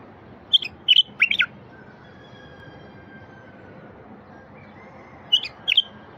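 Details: Singing wild bulbul, to get silent bulbuls going: a quick burst of three or four bright, chattering notes, a long pause, then two more sharp chirped notes.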